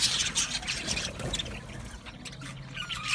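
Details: Aviary of male budgerigars, 8 December 2025: softer, more distant flock chatter of high chirps and scratchy notes over a low background rumble.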